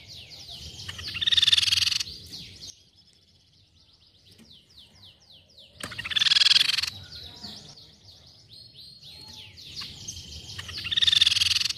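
Crescent-chested Babbler giving dense, high, buzzy chattering bursts about every five seconds, with softer rapid ticking notes in between.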